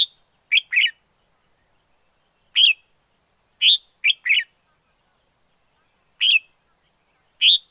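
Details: Red-whiskered bulbul of the forest singing: clear, slightly slurred whistled notes delivered singly or in pairs and triplets, spaced one to two seconds apart, against quiet surroundings.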